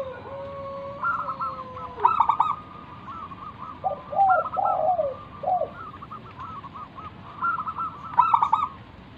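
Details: Zebra dove of local stock, used to lure other doves into calling back and singing: a low held note, sharp stuttered bursts, and a series of rolling, bubbling coos repeated across nine seconds, with faint constant tones behind.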